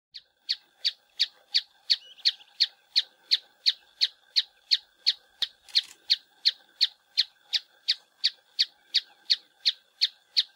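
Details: Rock tapaculo recorded at Santa Barbara, Minas Gerais, Brazil: a long, very regular series of short, sharp high notes, nearly three per second, each with a lower tone beneath, against a quiet background.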